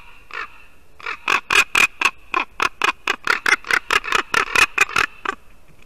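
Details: A long, rapid run of hoarse, rasping notes, about four per second, rising in loudness and then fading, from ravens visiting a white-tailed eagle nest in Latvia on a December 2019 morning.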